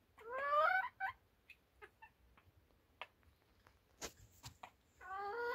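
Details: Morning rooster acting as a wake-up alarm: a rising, strained harmonic crow of about a second, some scattered clicks and knocks in between, then another crow starting at the end.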